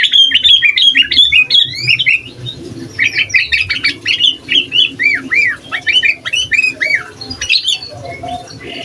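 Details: Sooty-headed bulbul in full song, intended to provoke other bulbuls and act as a master recording, pours out fast repeated chirps and arched notes, about three per second, strong and steady.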